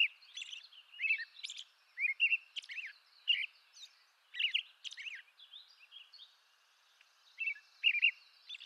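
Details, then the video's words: Robin-like whistled caroling phrases and high squeaks from an American robin, eastern North America, sung in bursts with a quiet stretch midway, over a soft, steady background hiss. "American Robin Bird Song Video Bird Songs Eastern North America-American Robin Sounds"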